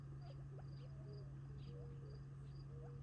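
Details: Gambel's quail flock eating near Tularosa Creek, July 2021, ahead of retreating for the night: brief mellow whistles, some level, some sliding upward, several overlapping, with rhythmic cricket pulses and a continuous low drone behind.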